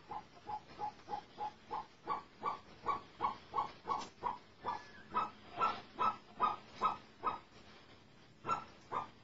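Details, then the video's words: Captive snowcocks, caught about a month and a half ago, have now begun singing: a steady series of short, hoarse notes, two or three a second, growing louder and slightly higher, then a brief pause and two final notes. "snowcock کبک های دری شکار شده یکنیم ماۂ حالا به خاندن اواز امده است"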